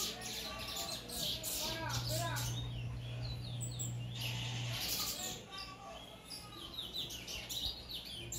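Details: Bullfinch with a white throat and full brown plumage, caged for its third day, producing clusters of high, scratchy chirps and short sweeps early on, then quieter scattered notes, against a low background hum.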